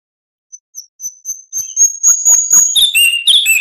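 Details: Oriental magpie-robin singing tutoring material for songbirds: soft thin high whistles gradually build into a loud, fast, continuous warble of varied chirps and trills.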